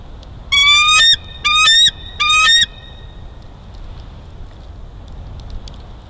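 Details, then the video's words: Bald eagle, a juvenile snatching lunch, Big Bear Valley, 5 December 2022: three loud, flat, whistled whines about half a second long, evenly spaced, then quiet background with faint distant chirps. "Juvie Bald Eagle steals lunch !"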